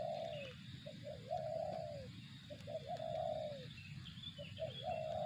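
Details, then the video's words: Spotted dove singing the zong-style coo. Short stuttering notes build into a long, smooth, downward-sliding coo, heard twice. Low steady rumble behind, with thin high chirps from other birds late on. "suara burung tekukur target zong"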